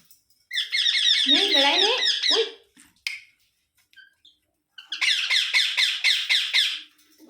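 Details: Parrot giving two loud bursts of rapid, harsh, rhythmic squawks, each lasting about two seconds, separated by near silence with a few faint squeaks.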